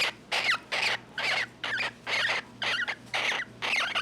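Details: A female cockatiel gives a run of short, harsh, raspy squawks, about two every second, while being caressed and getting a back scratch; the owner wonders if she is enjoying it.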